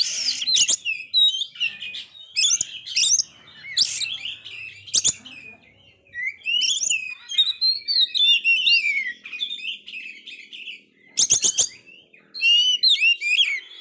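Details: A male Oriental magpie-robin whose moult failed, singing very actively, sings a lively, varied run of sweet whistles and sharp chattering notes, broken by pauses and a few loud clicks. The song is used to provoke rival magpie-robins.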